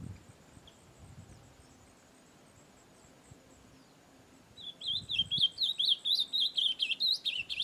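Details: Brown-plumaged ultramarine grosbeak singing freely in nature: after a quiet start, a rapid run of warbled, chattering notes begins halfway through and repeats about twice a second, high and bright, over faint background hiss.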